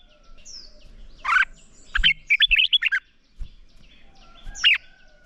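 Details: Red-whiskered bulbul fighting-song training in the morning: a lone harsh note, then a quick string of five or six bright warbled chirps, a pause and a final slurred call, with faint low taps.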